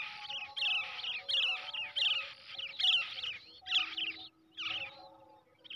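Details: Hand-reared brown shrike baby giving a run of buzzy, scratchy screeches that merge into a near-continuous rasp, then two separate bursts after a pause.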